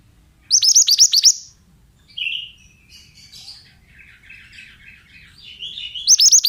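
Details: Male Oriental magpie-robin in a training recording: a quick string of high hooked chirps, then a short lower note, scattered soft twittering, and a fresh chirping burst at the close.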